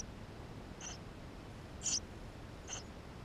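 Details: Eurasian tree sparrow chicks inside the nest, recorded by a GoPro: three brief, high-pitched squeaks, the middle one loudest, with quiet hiss between them.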